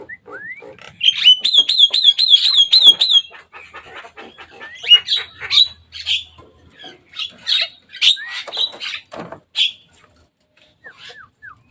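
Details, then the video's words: Javan myna playing above a cage opens with a rapid trilled buzzy rattle lasting about two seconds, then scattered loud rasping chacks and short upslurred whistles trailing off into quiet. "Jalak kebo datang main di atas kandang."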